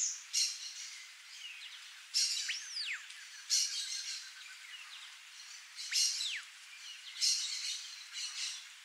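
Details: A frightened wild female bare-faced curassow (Crax fasciolata) in Brazil gives sharp, harsh high bursts with thin falling whistles, repeated every one to two seconds, over faint background hiss.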